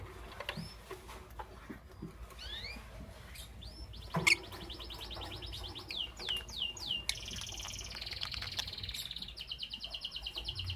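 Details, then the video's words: Lovebirds, a green Fischer's and a pastel blue, chirping in the morning: rapid repeated high, sharply sliding chirps, then a dense buzzy chattering run of notes, with a few sharp knocks in the background. "Lovebird Chirping Sounds"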